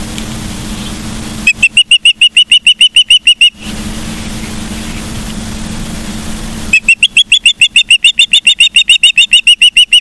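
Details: Osprey on a live nest cam at Charlo, Montana, 15 September 2023 at 12:55: two runs of sharp, high, whistled chirps, about three per second, split by a stretch of low rumbling wind or traffic-like noise.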